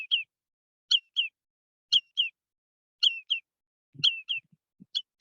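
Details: Lesser yellowlegs giving sharp, high, two-noted flight calls, tew-tew, about once a second, with a few soft low thumps near the end; birds flying in at a wastewater treatment plant near Fresno, California, 18 September 2021.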